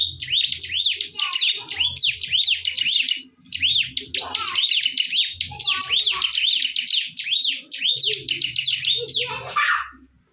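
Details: Bar-winged prinias in a fierce fight: dense, high, chirping phrases of rapid down-slurred and up-slurred notes run almost continuously, with short gaps near three and a half and seven seconds. A faint low hum sits underneath.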